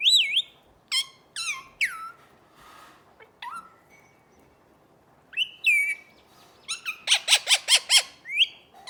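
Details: Parrot calls mixing squawky downward-sliding whistles and short chirps, then a rapid run of about six evenly spaced harsh pulses near the end, loud and close in a quiet setting.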